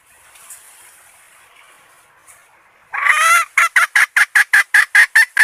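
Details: Red junglefowl hen acting as a decoy to draw in males: after three seconds of faint background hiss, a loud harsh note opens a rapid, steady series of about ten short clucks.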